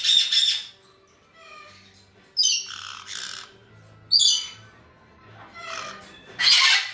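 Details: A captive group of white-bellied caiques, kept with black-headed caiques as close companions, give harsh, shrill squawks in short bursts about every two seconds, with a faint low hum in the background.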